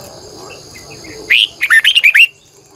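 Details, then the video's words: A red-whiskered bulbul sings in the morning as a lure for wild birds, long double-twisting style: faint chirps, one strong rising note, then a run of six rapid bouncing whistled notes. "Luyện chào mào hót sáng 2020, Giọng kép xoắn dài hót căng, Chào mào mồi gọi bổi hót hay"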